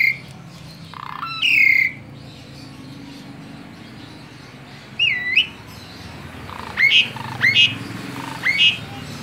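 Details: Tame Asian pied starling with sparse song: a buzzy note, a falling whistle, a looping whistle, then three rising whistled notes about half a second apart, over faint background noise.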